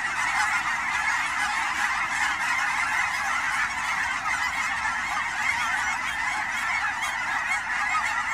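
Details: Canada geese on fall migration at Fern Hill Wildlife Area near Forest Grove, Oregon, among Willamette Valley ponds; a dense, unbroken chorus of many overlapping nasal honks at a steady loudness throughout.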